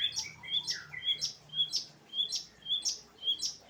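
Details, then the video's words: Long-tailed shrike in late afternoon giving loud, high, clipped chirps, each with a falling tail, repeated rhythmically about twice per second, with a lower slurred phrase early on. "Kicauan Cendet di Sore Hari"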